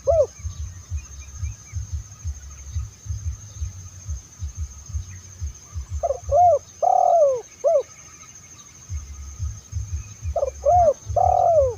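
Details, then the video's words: Spotted dove calls for luring other spotted doves, 2023: two bursts of mellow, hooting coos, each a short double note then a longer rolling one, over a steady low rumble and a faint high whine. "SUARA TERKUKUR TERBAIK TAHUN 2023"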